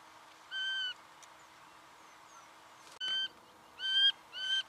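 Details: Singing honeyeater, Victoria, Australia, November 2011: strong nasal harmonic notes, one early, then three more in quick succession after a sharp knock, each note slightly rising.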